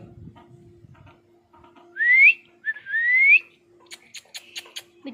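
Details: Pet ring-necked parakeet indoors giving two loud, clear whistled notes, each sliding upward and lasting about a second, separated by a short gap, then soft clicks and taps over a steady low room hum.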